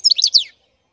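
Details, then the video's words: Black-headed goldfinch song fragment: a single half-second burst of quick, high, liquid twittering notes that slide down at the end, followed by silence. "Щегол чёрноголовый пение"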